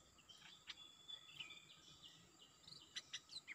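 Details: Red-breasted parakeet in Thailand, a year-old cage-wise bird, answering a decoy that draws the wild territorial bird down; sharp squeaky high notes and short piercing chirps, several in quick bursts near the end, over steady background hum.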